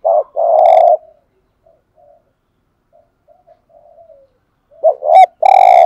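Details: Spotted dove used as a decoy, cooing to draw in other doves. A long, steady, husky coo opens, a pause follows with faint murmurs, then a quick wavering double note and another drawn-out coo.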